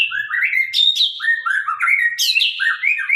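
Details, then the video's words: Sabang-line white-rumped shama in full loud song, a sharp-voiced stream of whistled slurs and rising and falling notes, broken by high bright bursts, continuous with no background sounds. "murai batu gacor murai sabang suara tajam"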